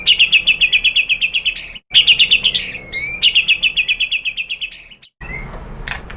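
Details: Provocation song of a white-rumped shama for rousing other shamas: fast, regular rattling trills of about four pulses a second, interleaved with slurred whistles, broken by short cuts.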